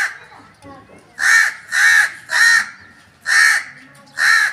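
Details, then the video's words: Calling crow: five hoarse, evenly pitched caws in quick succession with a brief gap before the last two, faint murmuring in the background. "crow calling"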